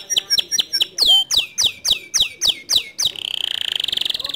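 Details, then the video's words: White male canary, standard long song: crisp downward-slurred notes about four per second, then a fast, dense buzzy trill. "Kenari Jantan Putih Kicau standart panjang"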